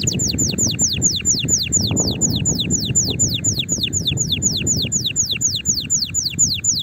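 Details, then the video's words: Singing canary, played to spur other canaries into song: a long steady trill of sharply descending high notes repeated about four times a second throughout, over a constant low rumbling background noise. "تغريد طائر الكناري هائج نار , لتحفيز على الغناء"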